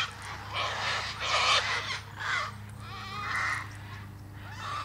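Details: Cockatoo giving harsh, broadband screeches in several bursts about half a second to a second long, with gaps between them, over a steady low hum.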